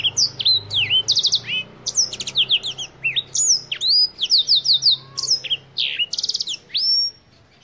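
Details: Sustained song of an African Black-throated canary: rapid sequences of high whistled slurs mixed with several fast trills of repeated notes, ending on a long level whistle.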